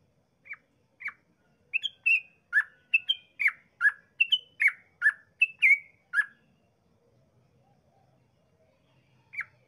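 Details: Yellow-vented bulbul in long rapid 'ropel' song, used as a lure to make other bulbuls sing: two bubbly notes, then a fast run of short liquid, slurred chirps swinging between mid and high pitch, then a pause and one final note.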